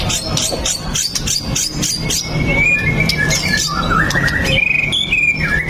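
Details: Shama song played to get other white-rumped shamas singing: a burst of rapid high chirps, then long gliding whistles that dip and rise, over steady low noise.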